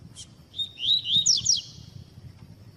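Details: Tui-tui song of a double-collared seedeater (Sporophila caerulescens), a tutor recording for warming up tournament birds: one brisk phrase of high whistled notes, level slurs then steep downward sweeps, after a short chip, over quiet hiss.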